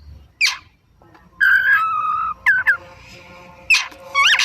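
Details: Oriental magpie-robin in afternoon lure song: a harsh rasping burst, a held falling whistle, two short sharp notes, then more scratchy buzzy calls.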